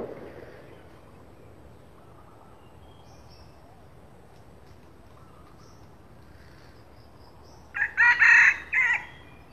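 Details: Morning lure crow of a junglefowl, called the king of the junglefowl: after about eight seconds of quiet background hiss, one short, harsh, multi-part crow bursts out near the end.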